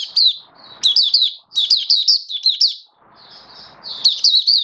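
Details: Mata puteh, the oriental white-eye, singing in build-up form on 19 September 2022: lively high-pitched twitter of rapid slurred chirps in tight runs, two short breaks filled by faint rustling.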